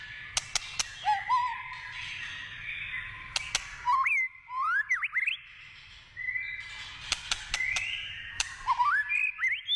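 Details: White-rumped shama in its wild forest habitat: rising slurred whistles and upward-sweeping notes in short phrases separated by pauses, with occasional sharp clicks.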